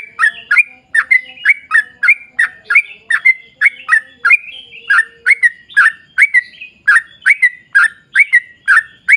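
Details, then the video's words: Sooty-headed bulbul singing a continuous long 'ropel' song meant to trigger other bulbuls to sing: rapid series of bright, burbling whistled notes repeated nearly three times a second, with a faint low hum in the background. "trucukan gacor ROPEL PANJANG buat pancingan trucukan agar bunyi"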